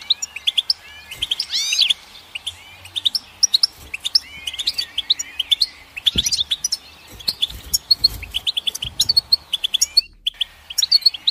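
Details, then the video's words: Lively goldfinch song: jangling, tinkling phrases of fast chirps and slurred whistles, broken by brief pauses, with a few faint low bumps. "Goldfinch Song"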